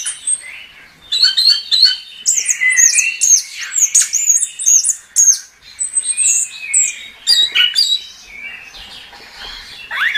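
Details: Chestnut-capped thrush (anis kembang) in gacor song: bursts of varied shrill whistles, squeaks and buzzy trills separated by short quiet gaps, with a faint thin note at the start.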